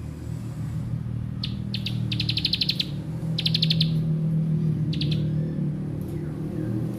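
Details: Bar-winged prinia giving short "bren" song fragments: quick, buzzy high trills in brief bursts, partly masked by a loud, steady low rumble.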